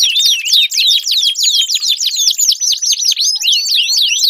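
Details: Canary song used to coax a silent canary into song: loud, fast series of high swooping whistles and trills in a continuous rolling flow.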